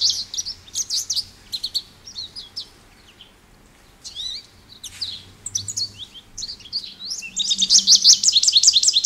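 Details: American goldfinch song: high scattered chirps and slurred notes, pausing briefly before a dense burst of fast twittering at the end, over a faint low hum.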